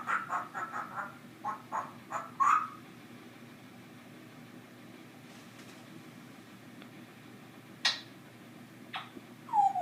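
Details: Pet African grey parrot indoors making some of its everyday unusual noises: a quick series of short clicky, popping notes, then a rising squeak, later isolated sharp clicks and a falling whistled note.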